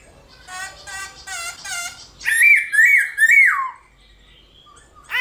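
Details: Morning competitive singing ('hót đấu') of a black-throated laughingthrush. Raspy, harmonic chattering notes open the passage, then three loud, wavering whistled phrases slide downward, with a quiet pause and a final sharp note.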